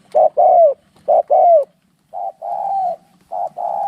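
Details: During a fight between spotted doves, low hollow coos come in pairs, a quick note then a drawn-out slurred note, with later pairs flatter and less forceful.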